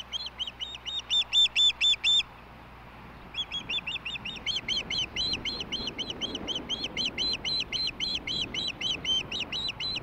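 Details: Nest camera on an osprey nest at Hellgate, Montana, 20 May 2016 at 17:22, late evening dinner; high, thin whistled chirps in quick series, a brief break after two seconds, then a long steady run of chirps.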